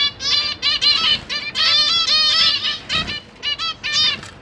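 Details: Caged zebra finches, a family of parents with juvenile and newborn babies: loud, dense run of nasal buzzy calls, each harmonic-rich, coming in clustered bursts and short stutters, nearly continuous with a few short pauses.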